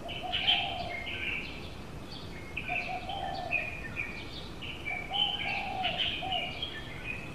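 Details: Female Asian koel (Eudynamys scolopaceus), a rare transit bird in Taiwan, recorded in Tainan (dated 18.06.13), gives shrill, rapid, bubbling notes in bursts, with lower hooting from another bird in the background.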